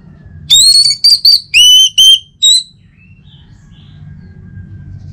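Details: Orange-headed thrush singing, used as a morning prompt for other birds to sing. Six strong whistled notes come quickly, with rising slurs and ringing tones, then a quiet stretch with faint low hum.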